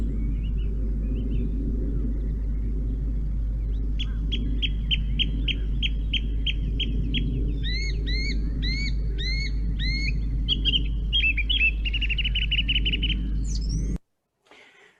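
Song thrush singing bright phrases each repeated several times: a run of sharp whistled notes, then looping whistles, then a fast trill, over a steady low hum.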